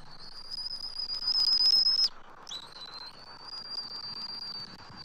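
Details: Adult eagles at a Southwest Florida nest tree, 12 March 2024, calling as an immature eagle circles the nest; two long, thin, high whistled notes, the first louder and slightly rising, the second steady, separated by a short break.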